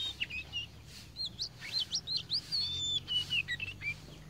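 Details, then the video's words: A tame Oriental magpie-robin singing a rich, varied run of clear whistles, slurred notes and quick chirps, several phrases a second, over a faint low hum. "KACER POCI JINAK GACOR"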